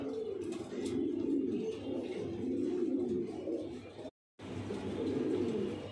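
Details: Domestic Lahore Siraji pigeons kept indoors give continuous deep, rolling coos. The sound drops out briefly near the end, then the cooing resumes.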